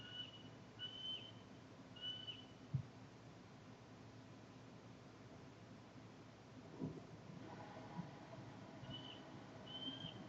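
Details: Bald eagles at a nest in Northeast Florida, filmed in February 2019, calling with thin, high whistled notes in short pairs near the start and again at the end, over quiet background hiss with a few soft knocks.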